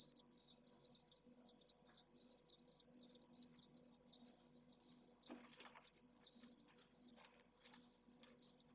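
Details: The only Pallid swift chick in a city-centre nest in Jerez de la Frontera, at solar noon on 25 August during a heatwave above 44°C, gives a steady run of high, thin, buzzy trilled calls, growing louder and harsher midway, over a faint low hum.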